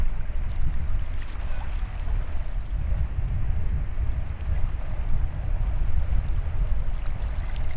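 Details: Heavy low wind buffeting and rushing, like water or surf, fills the recording, with no animal voice.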